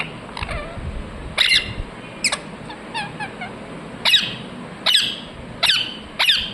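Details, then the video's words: Ringneck parrot chirping: sharp harsh squawks spaced unevenly about a second apart, with a quick burst of small chattering notes in between, over a steady high hum. "Ringneck parrot Chirping sounds"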